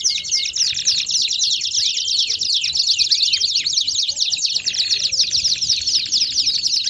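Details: Baderna-style canary singing, played to warm up other canaries: a busy, overlapping stream of fast chirps and rolls, with a few lower looping swoops in the middle and a brief whistle at the start.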